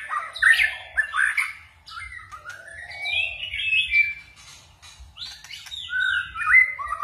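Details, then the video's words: Varied forest-style song from a white-rumped shama: rich whistled phrases swoop up and down in bursts with short pauses, mixing clear notes and scratchy warbles. "chòe lửa hót giọng rừng ,đảo giọng cực phê"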